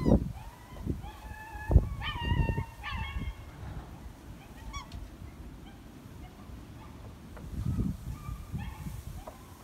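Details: Black Trumpeter Swans, including a male long wary of people, call toward New Guinea Singing Dogs; several clear horn-like honks with stacked overtones sound in the first few seconds, then softer scattered notes over low rumbling background.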